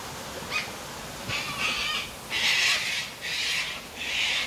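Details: Cockatoos on their daily sunset drink at Tanninaba Falls, Springbrook, 19 May 2024: harsh, raspy screeches in bursts about half a second long, coming in quick succession over a steady rush of falling water.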